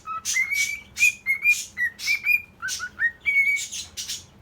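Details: Courting male cockatiel interested in a hen gives a quick chain of short, pure whistles, mostly steady in pitch with a few rising slurs, interspersed with brief noisy bursts.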